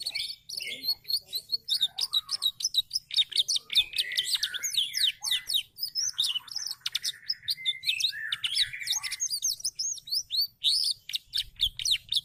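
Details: Canary kept as a cage bird, singing gacor, meaning steadily and often: a long continuous stream of rapid high chirps, trills and rolling buzzy phrases with barely any breaks, loud and busy throughout.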